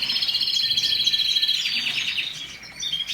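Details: Canary song: continuous high warbling with rapid repeated trills and whistled notes, brief buzzy rattles, fading slightly near the end.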